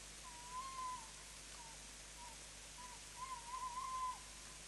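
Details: Tawny owl calling after landing on a pole, recorded 11 September 2017: short whistled notes, a few drawn-out wavering ones at the start and end with brief single notes between, over steady broadband hiss.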